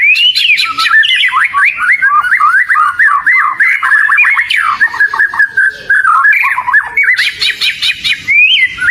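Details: Oriental magpie-robin singing hard: rapid strings of sharp downslurred whistles repeated in quick succession, varied trills and clicks, and a brief high buzzy passage near the end.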